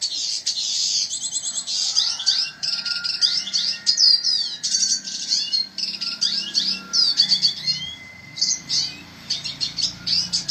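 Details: Red siskin in full, nonstop song: rapid high twitters, buzzy trills and fast down-sweeping notes in tight bursts, with a long steady thin whistle running beneath part of the phrase.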